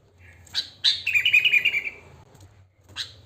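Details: Natural song of a wild sooty-headed bulbul, used to lure bulbuls: one rich, gurgling, warbled phrase of about a second, followed by a single short note, over a soft low hum.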